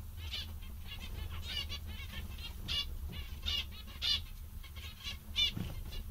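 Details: Several zebra finches, described as quite funny and very content today, giving short nasal beeping calls with stacked harmonics, scattered irregularly and sometimes in quick bursts, over a steady low hum.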